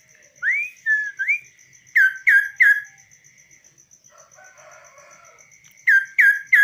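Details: Kaso-kaso bird, tamed and perched uncaged on a hand, gives two upslurred whistles, then three loud harsh chirps, a softer warbling passage and three more chirps; a pulsing high ticking and steady tone sound behind.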